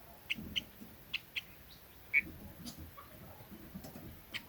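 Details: Red-billed leiothrix calling to draw other birds: quick bright chips in a short cluster, then one stronger note, followed by weaker scattered ticks over soft low hum.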